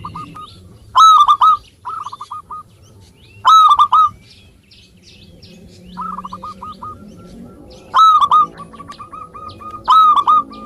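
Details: Local zebra dove singing actively, used as a lure to prompt lazy birds to sing: bright cooing phrases, each a strong opening note followed by a run of short clipped coos, repeated about every two and a half seconds over faint background hum.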